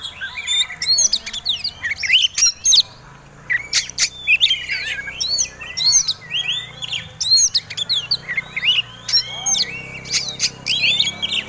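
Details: Fighting-style Oriental magpie-robin delivering a lure song meant to provoke other birds: dense bursts of clicks, chattering and slurred whistles, pausing briefly about a third of the way through, then resuming energetically over a faint low hum.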